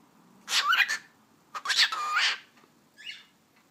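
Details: A pet cockatiel talking, repeating the Turkish phrase "eşek sıpası" (donkey foal) that it has begun using often; two harsh, raspy, voice-like bursts of about half a second each, then a fainter short burst after a pause.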